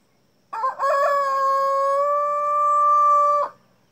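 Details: Black Jersey Giant rooster crowing at dawn: a short rough opening note, then one long steady drawn-out crow of about three seconds, held on an even pitch before stopping abruptly, with quiet background.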